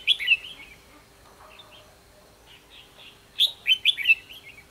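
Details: Fighting song of a red-whiskered bulbul, recorded while luring a wild bird to a decoy trap on 24 December 2015: a loud warbled phrase, a quiet stretch of soft notes, then a rapid run of sharp whistled notes.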